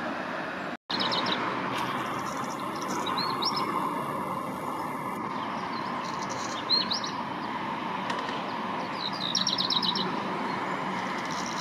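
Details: Young one-year-old male black redstart, not yet in breeding plumage, practising its song in spring 2021 at Gradignan, France: short, thin, high chirping phrases and quick twittering runs scattered across the recording, above a steady rumble of traffic-like noise.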